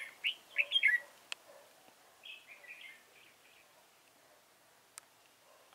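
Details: Red-whiskered bulbul used as a decoy during bird trapping, singing to lure wild birds: a burst of three or four bright whistled notes, then softer warbled phrases, with a few sharp clicks and quiet background.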